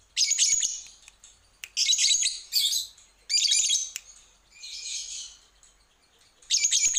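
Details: Lovebird sounds for a lure recording meant to set birds singing: separate harsh, raspy high bursts about half a second long, broken by short silences, one softer hissing burst among them.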